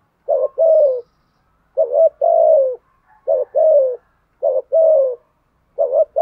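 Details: Decoy spotted dove with a 'giọng thổ' voice giving rapid 'gù thúc' coos to stir wild birds: deep, rounded short-long coo pairs delivered in quick succession, each ending with a slight downward slide.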